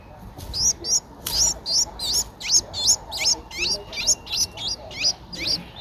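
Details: Streak-eared Bulbul nestling, 10 days old, filmed in Ubon Ratchathani, Thailand on 12 April 2023, calls loudly with paired, sharply rising and falling high squeaks repeated almost three times a second, clear over a quiet background.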